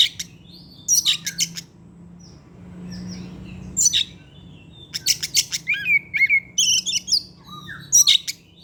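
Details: Caged Oriental magpie-robin singing actively in the afternoon as a lure sound. Bursts of harsh scratchy chatter alternate with short whistles, separated by a quieter gap with low hum in the background, then a fast run of varied notes.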